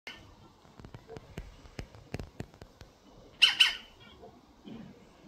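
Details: A European green woodpecker, unbothered by a nearby cat but later scared off by a pigeon, gives two quick, harsh, high squawks after a run of sharp clicks and taps in a quiet, enclosed space.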